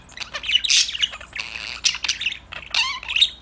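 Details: Several happy budgerigars playing, singing and talking to each other, recorded without filtering: a busy overlapping chatter of high chirps, warbles and short scratchy notes, rising and falling in loudness.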